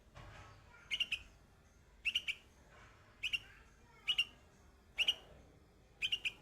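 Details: A young bulbul perched on white flowers sings short bright chirping phrases, each a quick double or triple note burst, repeated roughly once a second, six phrases in all over a quiet background.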